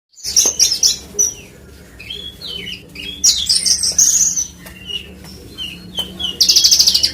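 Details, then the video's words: Horsfield's bush lark (branjangan), parva form, from West Nusa Tenggara, Indonesia, in its natural song: high, thin twittering phrases and buzzy trills in bursts separated by short pauses, with a faint low hum beneath. "SUARA ASLI BRANJANGAN PARVA NTB"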